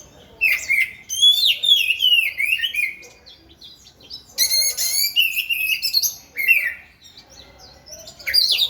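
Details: Oriental magpie-robin singing as it dances: loud bursts of sweet whistles, trills and descending slurred notes in several separate phrases, each lasting one to two seconds, with short pauses between them.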